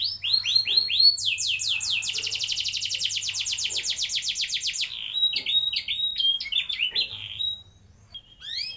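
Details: Canary song with long rolls, used as a lure recording to get young canaries singing: falling whistled sweeps, then a fast rolling trill lasting nearly four seconds, then mixed short chirps and whistles.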